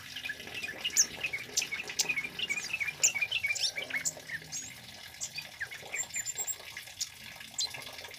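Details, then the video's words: Scarlet-headed Flowerpecker male, loud and constant, a song used to lure and tutor birds: busy bursts of high twittering chips in the first half, thinning to sparser high notes later, with a soft watery hiss throughout. "SUARA BURUNG KEMADE CABE CABEAN BUNGA API GACOR LANTANG COCOK BUAT PANCINGAN DAN MASTERAN"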